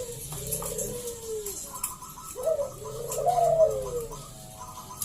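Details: Vocal local zebra dove singing to draw other doves into song: long, rolling, downward-sliding coos with a brief higher note cluster, over faint room noise.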